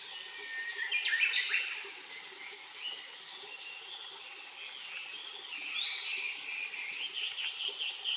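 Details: Blue-and-white flycatcher song recorded 23 May 2020 at Enkaizan: a loud burst of fluttering whistled notes, then a run of varied sweet warbled phrases with slurred rising and falling notes over a quiet background.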